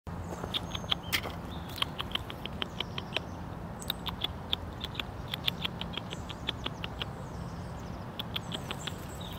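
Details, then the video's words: Great tit (Parus major) in Tivoli landscape park, Ljubljana, 26 October 2023, giving sharp, high ticking notes in quick uneven runs of several per second, with a few thin higher calls over a low city rumble. "Parus major VELIKA SINICA"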